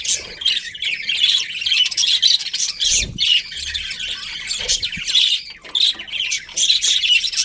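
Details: Colourful budgies in a breeding colony give loud, steady, warbling chatter throughout: overlapping buzzy chirps and squeaks with hardly any pause, plus a few low thumps.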